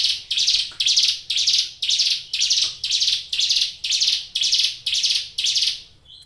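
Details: Caged ciblek gunung (Brown Prinia) singing strongly: eleven even, buzzy, rasping high notes in a regular rhythm of nearly two per second, with a soft thin note at the end.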